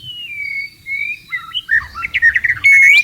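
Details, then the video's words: White-rumped shama in the wild, in breeding condition and seeking a mate. Long clear whistles slide gently up and down, then break into quick chirping notes and end in a loud, sustained high whistle. "MURAI BATU GACOR BIRAHI MINTA KAWIN"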